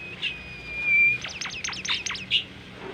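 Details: Melodious training song from a tame caged Bimoli: one long, steady, pure whistle, then a rapid burst of sharp notes that fall steeply and repeat about eight times, ending in a short chirp.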